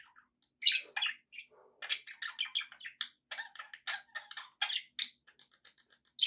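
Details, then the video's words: Several pet budgerigars keep up a lively stream of short, high-pitched chirps and twittering notes, irregular and overlapping, with little background noise. "relaxing budgie sounds for your birds"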